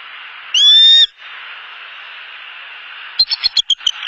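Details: Wild bald eagle of a mated pair returning to the nest for the night in Southwest Florida, evening of 29 November 2015: one loud, high, thin whistled squeal lasting half a second, then a quick series of sharp, high chittering notes.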